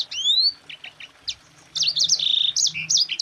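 Yellow-fronted canary giving a fast, high, twittering song of rising whistles, short chips and buzzy trills packed closely together.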